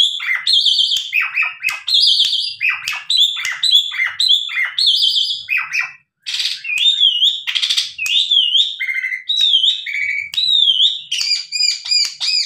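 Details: Tame captive Asian pied starling in lively song used to lure other starlings into replying: continuous varied whistles, slurred rising and falling notes and harsh chattering bursts, one brief pause, then carries on.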